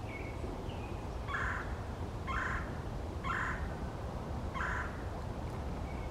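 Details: Male red-bellied woodpecker in a forest: four short, harsh rolling calls about one per second, with faint higher chips between them over a low background rumble.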